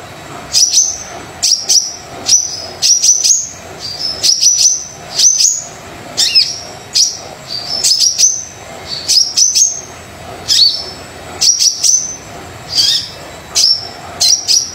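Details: Energetic Brown-throated sunbird singing, meant to stimulate sunbirds that seldom sing: rapid, continuous run of thin, high whistles with sharp clicking starts, phrases following each other almost without pause.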